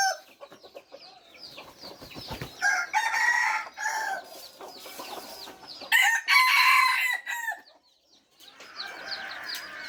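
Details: Third-generation (F3) red junglefowl crowing: three loud harsh crows, at about three, six and nine seconds, each a rasping rise and fall of roughly a second, while small birds chirp steadily in the background.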